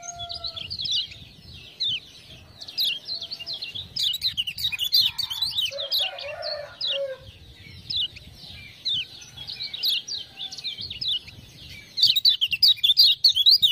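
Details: Kecial kuning, the lemon-bellied white-eye of Lombok, singing loudly as ciak-ciak prompts draw it on: continuous high, rapid chirps in uneven bursts, with a brief lower buzzy note midway and a quick flurry at the end.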